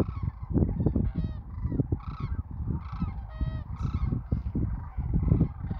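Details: Sandhill cranes on spring migration south of Wood River, Nebraska: overlapping rolling, rattling calls from many birds in bursts about every second, over heavy low rumbling background noise.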